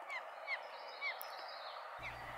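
Young blue jays give short, thin, slurred notes about every half second over a steady hiss, and a low rumble comes in at the end.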